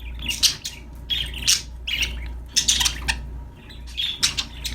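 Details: Budgies singing happily, bursts of loud, high, scratchy warbles and chirps coming in clusters roughly every second, over a faint steady low hum.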